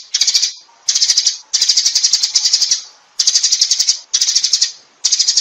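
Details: Sparrow calling the flock: bursts of high, rapid chattering chirps, each lasting about half a second to a second, separated by short silent gaps.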